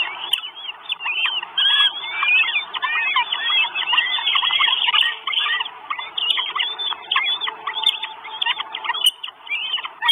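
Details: Begging chorus of four Northern goshawk chicks at an Estonian nest, 1 June 2022, from a live nest camera. Insistent piercing squeals and quick slurred notes come in rapid overlapping runs with brief pauses, over faint hiss.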